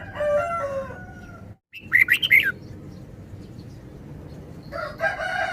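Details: Red-whiskered bulbul delivers a single brisk, chirpy warbled phrase of a few rapid rising and falling notes. Lower, drawn-out harmonic calls from other birds can be heard at the start and end over low rumble.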